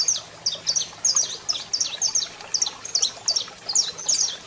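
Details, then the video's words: Saffron finch male singing with a female calling, for firing up birds: high, crisp chirped notes delivered in a steady run of about two per second, each a quick downward slur. "Canario da Terra Cantando Muito e Fêmea Chamando Top Para Foguear!!!"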